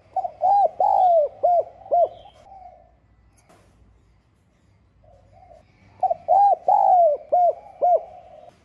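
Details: Repeated coo phrases of a spotted dove in the 'giọng son' voice, a calling and urging coo used to provoke rival males. There are two matching phrases of five or six hollow, arched notes, one slurred long, about five seconds apart.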